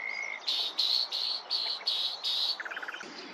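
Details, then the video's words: Common nightingale song: a thin whistle followed by six loud, rasping, evenly spaced notes, then a quick rattle of short clicks. "بولبولی عەندەلیبی ـ خاوەن خۆشترین دەنگ و خوێندنە ـ Common nightingale _ The most beautiful sound"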